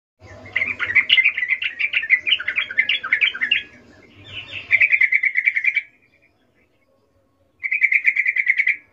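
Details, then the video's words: Wild yellow-vented bulbul recorded in nature, singing vigorously: bubbly, warbling chatter of quick notes in two long bursts, a short gap, then a third rapid run of bright, even notes, with faint low background rumble. "suara trucukan gacor"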